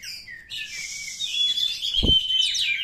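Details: A wild Oriental magpie-robin, used to coax stressed caged birds into singing, gives a short whistle, then a sustained high, thin note under a layer of buzzy twittering. A brief low thump is also heard.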